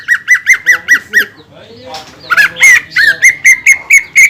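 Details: A greater green leafbird song used as a lure for other leafbirds: six pulsed chirps, a brief break with soft scratchy sounds, then louder slurred whistles and a fresh run of even chirps.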